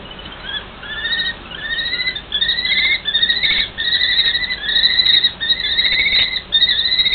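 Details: A pair of common kestrels in a long "marital conversation" trade quick strings of sharp, ringing kee-kee notes, the two voices overlapping in a steady back-and-forth over soft background hiss.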